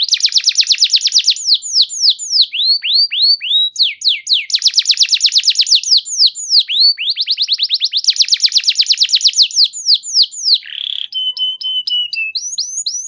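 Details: Long canary song used to coax other canaries to sing: repeated bursts of dense fast trills alternating with rising and falling whistled swoops, a short buzzy note and a held whistle near the end.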